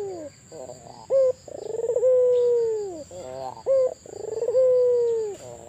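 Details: Albino Barbary dove calling eagerly, repeating a pattern of short rising note, rolling bubbly trill and prolonged mellow coo that tails downward, twice in quick succession; a constant thin whine sits behind the calls.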